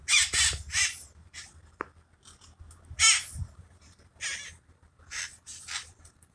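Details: Wild parakeets in the hills of San Francisco calling during a mating ritual: harsh, raspy screeches in uneven bursts, some paired closely, separated by short pauses, with low rumbling background noise.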